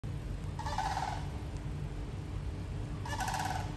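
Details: Florida sandhill cranes giving two rolling, rattling bugle calls, each about half a second long and rich in harmonics, separated by a pause of roughly two seconds, over a constant low rumble of background noise.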